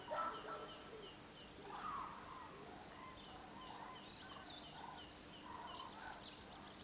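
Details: A large flock of cranes migrating north over Zutendaal, Belgium, on 8 March 2014 (possibly Sandhill Cranes, uncertain), passing at a distance, with many rolling, trumpeting calls overlapping into a continuous chorus above a steady hiss.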